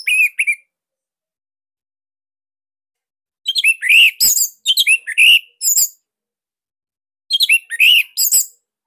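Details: Caged Bali orange-headed thrush giving a loud, tight song meant to coax other birds into singing; brief bursts of chirps and buzzy whistles in groups of three to five notes, spaced by quiet gaps.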